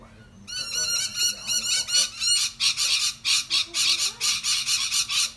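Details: Australian rainbow lorikeets feeding together in a loud group, harsh raspy screeches in a rapid, irregular run of about four a second, strident and continuous, with a faint steady hum underneath.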